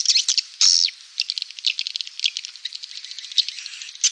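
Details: Swiftlet call for attracting swiftlets: a burst of scratchy high twitters with one longer descending buzzy note, then a continuous rapid chattering of short chips.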